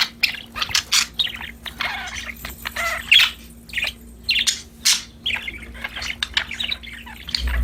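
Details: A busy flock of cheerful budgies chirping and warbling almost without pause, overlapping raspy notes and squeaks, with a constant low hum and a thump at the very end.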